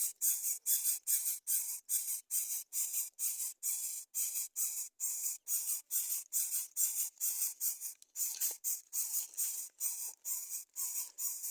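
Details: Greater coucal chicks refusing to eat fish. A harsh, hissing rasp is repeated steadily about twice a second, each burst short and breathy, continuing throughout with a brief irregular break near eight seconds.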